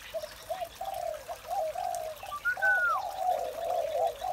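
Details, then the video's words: Spotted dove in the morning, quieter and steady, giving a chain of soft low coos, with a thin higher whistled slur partway through and a faint trickling background. "Một buổi sáng tràn ngập niềm vui từ tiếng chim cu gáy"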